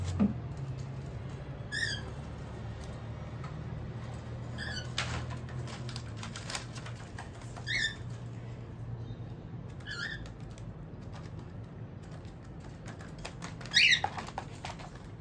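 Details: Female cockatiels (Nymphicus hollandicus) give short, bright chirping calls every few seconds over a steady low room hum.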